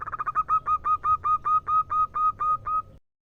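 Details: Female zebra dove, a local wild bird, calling a male. A quick run of short cooing notes speeds into a steady series of about sixteen even, hooked notes at one pitch, roughly five per second, for three seconds, then silence.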